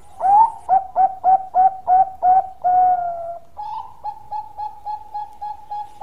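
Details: Bangkok-type zebra dove giving a long song: a rising opening note, then a string of about eight evenly spaced, throaty coos, a drawn-out note, and a softer, quicker run of repeated coos.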